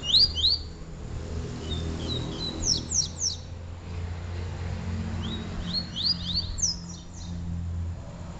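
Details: Double-collared seedeaters in a song contest: short phrases of sharp, high, descending whistled notes, given in two bursts separated by a quiet pause, over a low background rumble.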